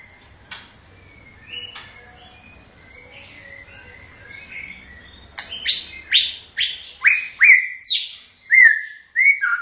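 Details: White-rumped shama song beginning with soft scattered notes, then building into a loud series of sharp, downward-slurred whistles repeated roughly every half second.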